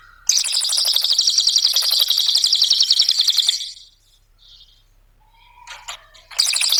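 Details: Cililin lure song for training birds, nembak ngetik style: a long fast ticking trill of over three seconds, then quiet with a few faint notes, and the trill starting again.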